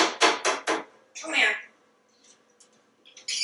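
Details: Pet African Grey Parrot at home in Texas, known to talk, utters three quick beep-like bursts and then a harsh squawk, with soft clicks afterward in a quiet room.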